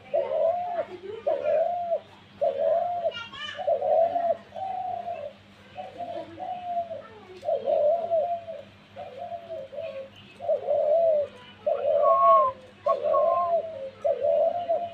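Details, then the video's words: Dove cooing in a long, uneven series of mid-pitched hooting notes, some clipped or doubled, with people talking quietly underneath and a constant low electrical hum. "ঘুঘু পাখির ডাক দিয়েছে"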